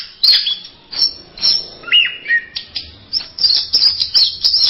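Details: Orange-headed thrush in a masteran collection of songs: sparse sharp high chips, a pair of clear descending whistles in the middle, then a rapid run of high twittering.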